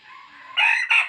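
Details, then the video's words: Rooster crowing to provoke other roosters to fight: a brief, loud, harsh end of a crow with two strong bursts, the second shorter, after a softer lead-in. "tiếng gà trống kích mồi chuẩn"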